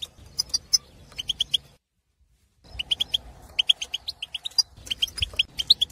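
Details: Aviary-kept wild Algerian European goldfinch, a breeding male, singing to arouse other goldfinches for mating: clusters of crisp, high twittering notes repeated quickly, a short silence, then a fuller stream of tinkling chirps.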